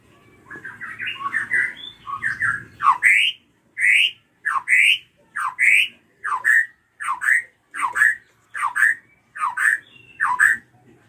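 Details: Ashy drongo, a caged songbird used as a lure to stir untrained birds into singing. Jumbled chattering notes, then a loud harsh rising scream repeated about once a second, each note sweeping upward with a strong ringing tone.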